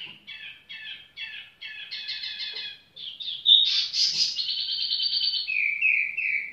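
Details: Tiểu mi bird sings short repeated chirps that build into dense stacked notes, a sharp squeaky accent, then a rapid trill and a level closing whistle.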